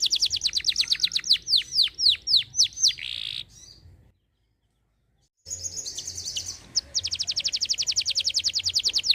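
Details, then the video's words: Canary singing energetically ('gacor'): a fast high trill gives way to slower, high downward-sweeping whistles, then a brief silence, and then a bright, rapid, evenly repeated trill running to the end. "kenari gacor"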